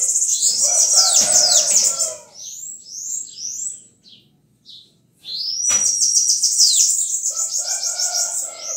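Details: Bananaquit (sibite) delivering two bursts of very high, sizzling, fast-repeated notes separated by a pause of scattered chips, the second burst opening with a drawn-out thin whistle; faint steady lower tones accompany both bursts.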